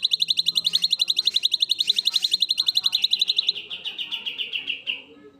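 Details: Natural song of a black-winged myna delivering a long burst: rapid, evenly spaced piercing chirps for three and a half seconds that then slow, soften and slide slightly lower before fading out.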